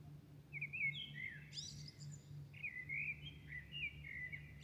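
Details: Birds singing at dawn in Milan, a night-to-morning city chorus: warbled whistled phrases sliding up and down, one bright burst in the middle, over a steady low electrical hum.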